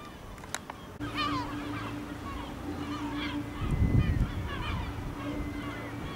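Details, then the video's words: Gulls flying over a village in Ortegal, Spain, toward nightfall; a few scattered harmonic squealing calls over a steady low hum and rumbling background noise. "Gaviotas pueblerinas ?? en el Ortegal hasta caer la noche"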